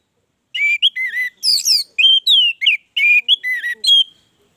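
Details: Vigorous orange-headed thrush song, one unbroken stream of varied whistled phrases. Downslurred and upslurred notes alternate with brief buzzy chirps, quick and lively throughout, no other sounds.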